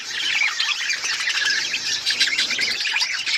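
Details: Budgerigars chirping in an unbroken, loud flock chatter, layered high squeaks and warbled tweets filling the whole stretch.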